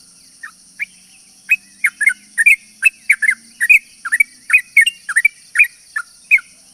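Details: A yellow-vented bulbul's long, lively song, used to attract other bulbuls: sparse chirps at first, then a steady run of bright bubbly notes roughly every quarter second, with a continuous high whine.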